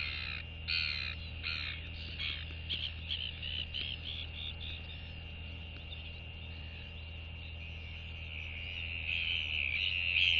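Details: A royal albatross (GLY) incubating its egg on the nest at the colony gives a skycall greeting to a visiting returning banded albatross (Moana), 14 Jan 2023: harsh, braying pulses running into a longer rasping phrase over low wind rumble.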